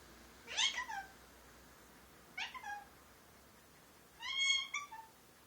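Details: Pet male Indian ringneck parakeet speaking learned words such as peek-a-boo, give me a kiss and thank you: three separate harmonic, pitch-sliding utterances spread across five seconds, each under half a second, in a quiet room.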